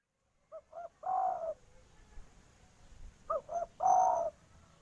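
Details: Female spotted dove calling the male, in natural surroundings: two short soft coos and then a longer rolling coo, the phrase repeated twice.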